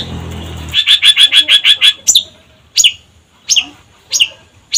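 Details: Long-tailed shrike singing briskly as a lure recording: a quick burst of seven rasping notes, then single harsh descending calls spaced roughly every seven tenths of a second.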